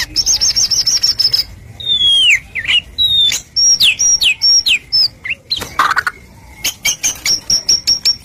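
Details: Murai batu, the white-rumped shama, singing energetically to provoke rival shamas: a high trill, then sweeping downslurred and upslurred whistles and sharp clicks, closing with another rapid high trill.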